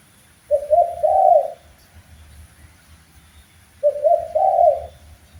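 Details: Master training recording of a spotted dove: two mellow, low, two-part coo phrases about three seconds apart, with quiet low background hum between them.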